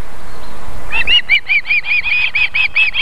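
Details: An adult female osprey feeding her chicks at a nest in Võrumaa, South Estonia, near a river and fish farm, on 31 July 2021 at 19:51, gives a quick run of short, high, whistled chirps, about five a second, after a brief burst of wind noise.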